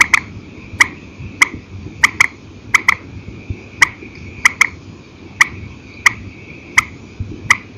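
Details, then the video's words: Purple swamphen at night, calling in single and paired notes ('đánh đơn đánh kẹp'): sharp, clicky, percussive notes, some alone and some in quick doubles, spaced irregularly about every half second to second, over a faint steady high hum. "Tiếng trích hay file cũ TRÍCH 29, đánh đơn đánh kẹp ok, tiếng chim đêm"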